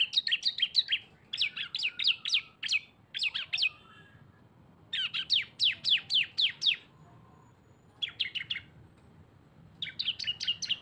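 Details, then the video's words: Lure song of cisem, described as a combination of two birds: dense clusters of sharp, high, rapidly repeated chirps, each burst lasting about a second, separated by brief gaps, with low background hiss. "CISEM GACOR ‼️ SUARA BREN kombinasi 2 burung"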